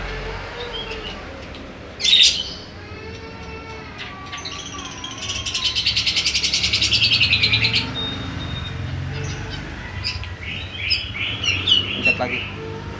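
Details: Grey-cheeked bulbul in full song with mimicry of sawing and lovebird: a sharp chirp, then a prolonged rasping, rapidly pulsed buzz, followed by quick twittering notes, with a low background hum.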